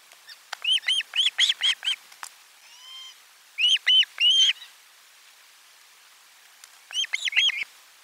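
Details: Osprey on nest camera 4 during a lunchtime fish delivery, 12 July 2022; rapid strings of piercing whistled chirps, a faint drawn-out note between, then more short bursts after a pause.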